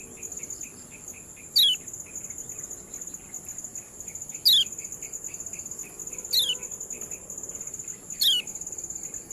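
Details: Kecial kuning ciak call used as training material to stir lazy birds into singing: sharp, loud descending calls repeated about every two seconds over a steady ticking of softer high notes and a constant high insect-like hum.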